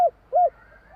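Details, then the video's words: Spotted dove cooing: soft low hollow coos, two short notes in a second, with a faint background hum. "Suara tekukur kur 3 besar"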